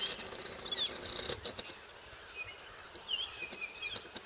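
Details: Morning chorus of many bird species at a riverside haven, described as raucous and gleeful; scattered high thin whistles and short chirps from several distant birds over constant hiss.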